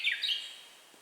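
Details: Closing flourish of a Japanese bush warbler song, handheld camera recording: two quick bursts of high, slurred, buzzy-bright notes, then fading to near silence.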